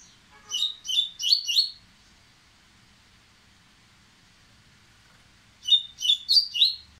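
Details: Dubois's seedeater, excited and impetuous, revving up to sing: a rapid run of four bright, high, downslurred chirps, a long pause of quiet room hiss, then another matching burst of four sharp notes.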